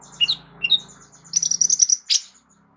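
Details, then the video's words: Sunbird called kolibri ninja, kept as a song tutor for other songbirds. A few high chirps lead into a fast, bright, high trill, then a sharp loud note, all over a steady low hum. "KOLIBRI NINJA MEWAH ISIAN LENGKAP COCOK JADI GURU VOKAL UNTUK BURUNG JAGOAN KALIAN"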